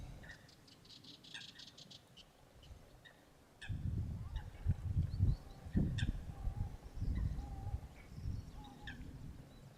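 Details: Greater flamingo calls: loud, nasal, goose-like honks in rapid, irregular bursts starting about midway, over low rumbling noise, with brief higher tonal notes between.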